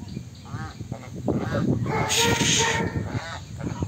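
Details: A flock of swan geese (Anser cygnoides) gives a run of nasal, overlapping honks, with one loud, drawn-out blare near the middle, with background chatter.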